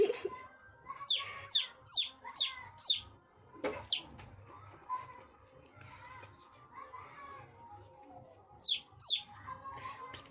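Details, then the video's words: Chicks calling in a quick run of five shrill, descending peeps, a pause filled with faint rustling and soft chirps, then two more high peeps near the end over a low hum. "The sound of chicks"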